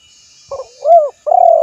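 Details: A spotted dove calls with a brief double note, a swelling arched coo and a long vibrating coo, low and mellow, loud and close.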